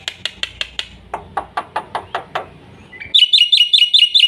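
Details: Black-winged myna full fast song, meant for stimulating and tutoring young mynas: evenly spaced sharp chips slowing and dropping lower, then a sudden rapid buzzy warbling trill at the close.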